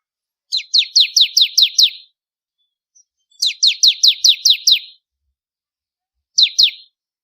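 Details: Bar-winged prinia for contest-bird training delivers two bursts of about seven to eight quick, high, falling chips, then a short fragment of three, clean and otherwise quiet.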